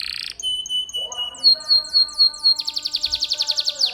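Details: Tutor song of a lively canary for training pet birds: pure held whistles, a chain of zigzag descending notes, then a loud, rapid pulsed trill to the end.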